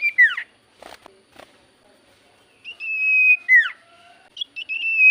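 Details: Javan white-eye song played as a lure to make silent birds answer: a sharp down-slurred whistle, faint clicks, then a long level whistle ending in another steep downward slur and short high notes.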